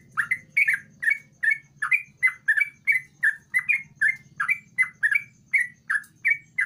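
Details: A sooty-headed bulbul in full song, used as a lure to get quiet bulbuls singing, gives a rapid run of short, bubbly chirps, about three per second, each sliding around a mid-high pitch, over a faint low hum.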